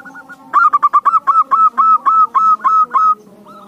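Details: Lure song of a zebra dove, meant to prompt even lazy doves to reply: a brief quiet opening, then a loud, evenly spaced string of bright, slightly rising coo notes at about three per second, ending abruptly.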